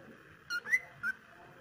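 A cockatiel gives three short, clear whistled notes, the middle one rising slightly.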